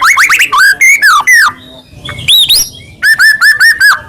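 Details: Singing white-rumped shama, recorded to stir rival shamas to sing: a fast string of bright rising and falling whistles, a brief quieter pause with softer notes, then a rapid run of repeated clear whistles.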